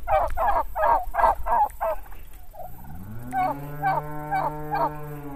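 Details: Live turkeys gobbling with the 'gulu gulu' sound: a fast burst of about seven throaty, warbling pulses over two seconds, then a long, steady, low drawn-out tonal call with a few more short pulses over it.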